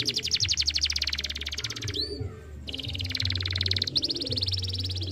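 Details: Young canary song, used to stimulate a young canary to sing: fast, dense trills of rapid high repeated notes, broken by a brief pause with a lower swooping note, then rapid trilling resumes; low hum underneath.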